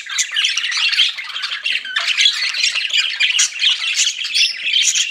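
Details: Several pet budgies chattering nonstop, overlapping squawky warbles and short squeaks forming a busy, unbroken stream of bright, high chirps.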